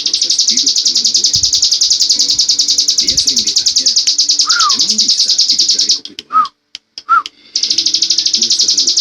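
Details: Prinia known as ciblek gunung in ngebren style, pouring out an unbroken high rattling trill for six seconds, then brief silence with two lower slurred whistles before the trill resumes; soft lower voices murmur in the background.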